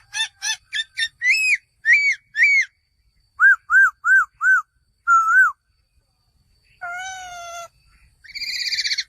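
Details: A male laughingthrush calls in quick, ringing bursts: rapid high notes, then clear arched whistles repeated in fours, a long low wavering whistle, and a harsh ending chatter.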